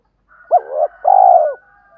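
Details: Spotted dove decoy call for luring wild doves: a rising-falling opening note leads into a swelling middle and a long pulsing coo that slides down at the close.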